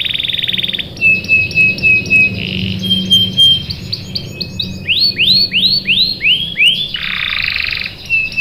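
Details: Breeding-condition female canary calling the male: varied lure song mixing flat whistled notes, quick stuttered phrases, a run of arching high swept chirps and a buzzy burst, with faint low hum beneath.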